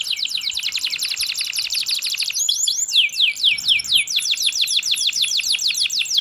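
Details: Canary singing long rolling trills, a fast even train of repeated notes, then looping swooping phrases followed by another rapid trill, bright high-pitched and continuous.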